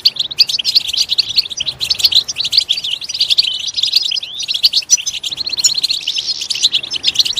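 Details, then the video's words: Dense goldfinch singing meant to prompt another goldfinch into loud song: rapid, liquid chirps and buzzy trills running together in a continuous bright stream. "Stimulating a goldfinch clip to make it chirp in a loud and wonderful voice"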